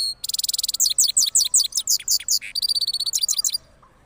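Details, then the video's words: Rolling song of a cross goldfinch after moulting, Parachinar: opens with a rapid buzzy trill, then a string of bright high chirps and twitters, another trill, and a closing flurry of quick notes. "Cross Gold Finch Part 3 After Moulting Rolling Songs"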